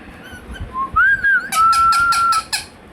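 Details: Talking pet Indian ringneck parakeet saying "Hello" or "Mithu": a soft rising tone swells into a long steady held note, overlaid by a run of rapid sharp clicks.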